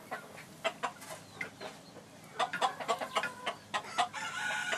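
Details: A Phoenix rooster, his tail feathers messed up by rain and mud, on 20 January 2013, gives short, sharp clucks in quick irregular bursts, about four a second, over a steady hiss of background noise.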